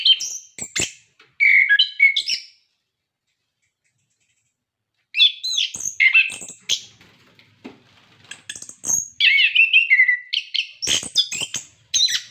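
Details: Orange-headed thrush song for encouraging captive birds to sing: varied chirps and slurred whistles, a long silent gap of nearly three seconds, then extended rapid phrases of mimic-like squeaks, whistles and harsh notes.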